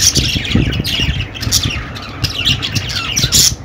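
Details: Budgerigars squawking and chirping in a short burst, harsh scratchy calls mixed with thin rising and falling whistles, against low rumbling noise.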